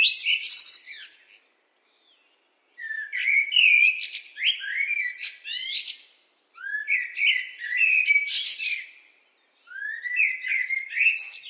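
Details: Blackbird song in four phrases, each rising from low, liquid whistles into high, scratchy, twittering endings, with pauses of about a second between them. No other sounds.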